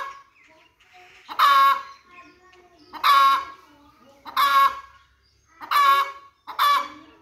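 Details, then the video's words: Chickens calling: loud, harsh, drawn-out squawking calls with a rough, nasal tone, repeated about every one and a half seconds, five calls in all, with faint softer clucks between them. "chicken song part 1#chicken sounds #hen sound#"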